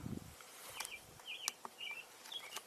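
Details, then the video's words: An American Robin sings on a mid-June birding drive: faint, slurred whistled phrases, a short rising-and-falling note roughly every half second, with scattered clicks and a low thump at the start. "you're hearing a robin sing right now let's move forward"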